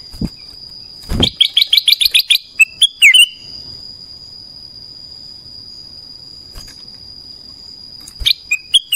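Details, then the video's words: Black-crested bulbul singing in the morning: a quick burst of about ten sharp, bright chirps, then a few clear whistled notes, with a steady high whine running throughout and several soft taps. "Suara kutilang emas pagi hari"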